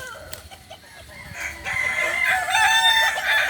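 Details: Balenggek crowing chicken in training at Ampang Kualo, Solok: after a quiet, faintly rustling start, a loud harmonic crow builds from mid-clip, layered and slightly wavering, with overlapping strands suggesting more than one bird.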